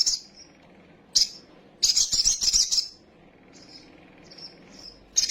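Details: Agitated sunbird (kolibri sogok otong) song used to provoke other birds into wing-fluttering: scattered sharp high chips, a second-long shrill buzzy trill, soft thin whistles, then another piercing burst.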